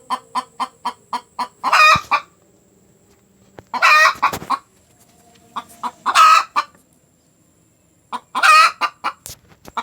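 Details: Hen calling after laying an egg: loud cackling made of evenly spaced short clucks, broken every two seconds or so by a long, harsh, drawn-out squawk.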